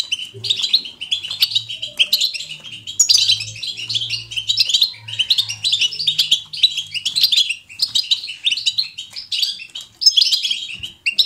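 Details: Lively natural song of a European goldfinch in bitbita style: rapid, jangling high twitters in bursts of roughly one to two seconds, over a faint low hum in the background.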